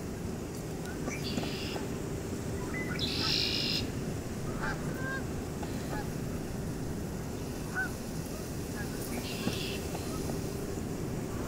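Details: Red-winged blackbird at Oak Orchard Wildlife Management Area, New York, giving harsh, buzzy trilled bursts, three times in about ten seconds, with short clipped notes between, over a steady low rumble of wind or distant traffic.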